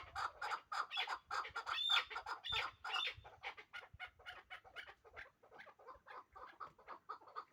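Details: Hybrid chukar partridge hatched last year, kept as a calling bird: a fast, uneven run of harsh clucking chuk notes, loudest in the first three seconds, then continuing more softly.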